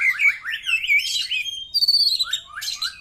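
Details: White-rumped shama song for drawing replies from other birds: a continuous, complex stream of slurred whistles, trills and harsher notes, loud and varied throughout.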